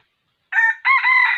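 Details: Red junglefowl in the wild, heard at a trap set with a decoy rooster on 6 January 2021; a raspy young-cockerel-style crow, a short burst followed by a longer drawn-out harsh phrase.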